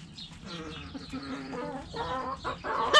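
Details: Backyard coop hens clucking: a run of short, harmonic, nasal clucks in irregular succession, growing louder toward the end and closing with a sharper, higher note.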